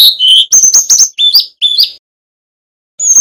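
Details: Brown-chested jungle flycatcher, Bali male, in full flute-like song: quick bursts of sharp, high whistled notes that dip and rise in short slurred phrases, then a brief silence and one more high whistle.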